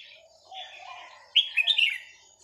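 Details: Over ten years old, a small Vietnamese-type red-whiskered bulbul kept in a cage gives a lively phrase of clear, slurred whistles after a soft, low murmur of background sound.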